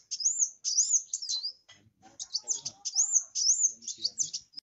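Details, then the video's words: Kolibri wulung singing strongly as a lure for others: looping high whistled notes in quick phrases of about half a second, repeated after short gaps, with faint low rattling. "burung kowul/kolibri wulung gacor"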